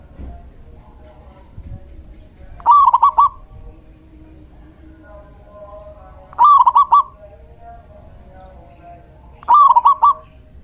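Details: Actively singing male local zebra dove, recorded as a decoy and tutor for other doves, repeats a brief rhythmic cooing phrase of rapid, bubbling notes three times, roughly every three to four seconds, with a low steady hum between phrases.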